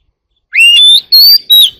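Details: Short Oriental magpie-robin phrase in the early morning: three pure whistles, the first sliding upward into a long steady tone, then two shorter level whistles.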